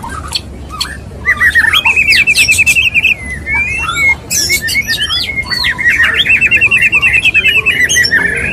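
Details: Courting male white-rumped shama singing to a female: long fast rattling trills alternate with loud rising whistles and harsh chattering notes, delivered in dense, nearly continuous phrases.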